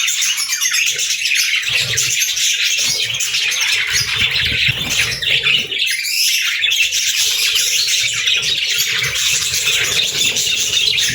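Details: Steady, dense budgerigar chatter: a nonstop stream of high, scratchy twitters and squeaks from pet birds, level throughout.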